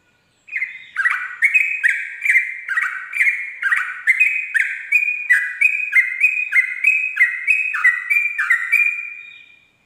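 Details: Sooty-headed bulbul singing ropel at dawn, a lure for birds learning the style: nearly ten seconds of fast, repeated two-note whistled phrases, high then lower, at roughly three per second.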